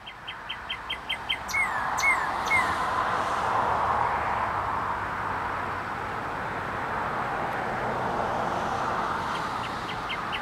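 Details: A male Northern cardinal sings outdoors in hot sun: a quick run of sharp down-slurred whistles, then a few looping slurred notes, soon swamped by steady wind or traffic roar.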